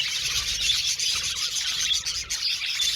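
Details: An aviary flock of budgerigars chirps nonstop, a thick layer of high twittering with a few clear whistled notes standing out above the chatter.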